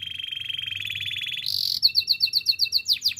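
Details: Singing canary, for training: a rolling trill that rises slightly and grows louder, then a burst of rapid clipped chirps repeated about four times a second.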